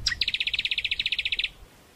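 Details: Greater green leafbird song used as a lure and training master: a sharp upslurred note followed by a fast, even trill of about twenty bright chirps lasting over a second.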